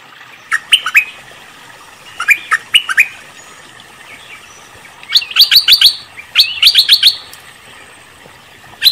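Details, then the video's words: Cream-vented bulbul sound used as a trapping lure: paired liquid chirps early on, then two rapid clusters of sharp, bright notes, with quiet stretches between. "Suara pancingan burung MERBAH LEKIR ngebrend auto nyaut"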